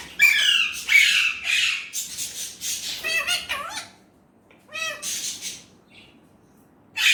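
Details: Indian ringneck parrot talking in Urdu/Hindi: rapid harsh syllables, then wavering nasal tones like mewing, a quiet gap, a few more warbled sounds and a closing raspy burst.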